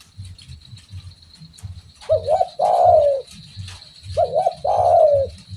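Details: Spotted dove in full, active voice giving two phrases, each a short wavering coo followed by a longer, fuller coo that slides downward, over a steady high tone and low background rumble.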